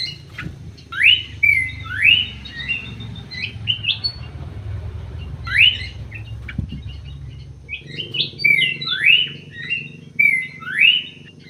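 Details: Munia with repeated upslurred chirps in pairs and short bursts, each a quick rising whistle followed by a flat note. Scattered thin ticks sit between the bursts, with a steady low rumble underneath.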